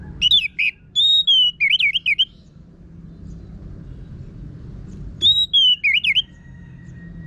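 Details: Orange-headed thrush (anis merah), a caged songbird whose harsh song is used as a lure to get birds singing; whistled, wavering phrases around 3-4k, repeated in two bursts with a long quiet gap between them.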